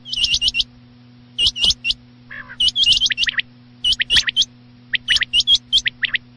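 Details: Quail heard at night giving rapid runs of sharp, hooked high notes in groups of three to five, then brief silences, with a constant low hum beneath.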